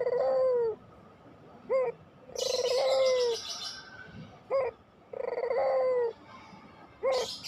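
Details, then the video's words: Barbary dove of the pelung type in repeated cooing, used to coax lazy doves into song. Short upswept notes alternate with long level coos. A burst of high chirping from another bird overlaps one coo. "masteran puter pelung, 100% AMPUH pikat PUTER MALES BUNYI JADI GACOR MANGGUNG"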